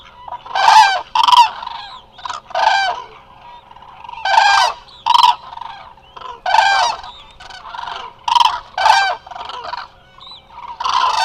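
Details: Many Eurasian cranes resting as a flock at Hula Nature Reserve, Israel, picked up by a live wildlife camera: loud, harmonic trumpeting calls overlap in bursts, roughly one every second or two, with short quieter gaps between.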